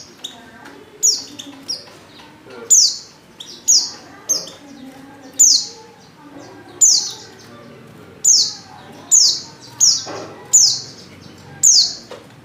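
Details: White-eye hen in heat calls to a male. Bright, very high, short chirps each slide downward, repeated about every second in a steady series over a quiet background.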